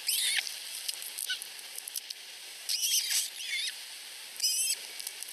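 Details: Two osprey chicks under a week old at a nest in Finland give thin, high, whistled chips in three or four short rapid bursts, whining for food from their mother, with a faint hiss in the background.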